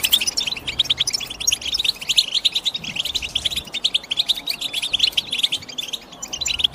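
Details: European goldfinch singing a rapid, unbroken twitter of bright chirps and tinkling trills, the notes pouring out densely and evenly over several seconds above a quiet background.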